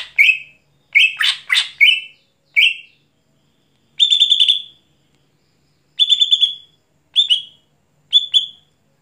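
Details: Greater green leafbird singing at night: a burst of rich, chattering whistled notes, then short, bright, buzzy trills repeated about once a second, with no other sounds.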